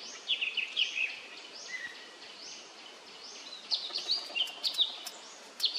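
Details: Male Indochinese blue flycatcher at an arboretum in Khao Yoi, Phetchaburi, Thailand, on 13 May 2023: high sweet notes with sharp downslurred and upslurred whistles in quick bursts, a brief lower note near two seconds, quiet background.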